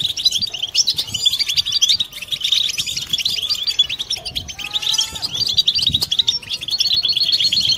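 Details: Several European goldfinches singing the collective 'batbata' song used to rouse silent birds toward mating; dense high twittering throughout, with a few faint lower whistled notes around the middle.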